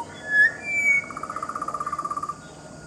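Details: Pied butcherbird in a garden bird sanctuary, family group with a juvenile: two pure whistled notes, then a fast rhythmic trill of about twenty even pulses lasting over a second.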